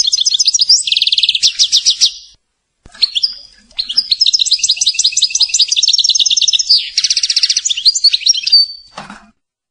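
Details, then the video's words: Goldfinch song from a CD recording, a long, lively outpouring of tinkling twitters, fast trills and nasal buzzy rattles that runs almost continuously for eight seconds, broken once by a brief pause. "Chant de chardonneret"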